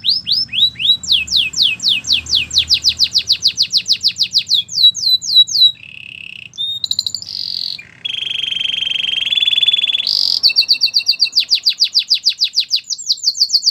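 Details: Extended Belgian canary training song for warming up canaries: long runs of rapid swept chirps, short buzzy and whistled tours in between, a sustained low rattle, then another fast pulsing roll to the close.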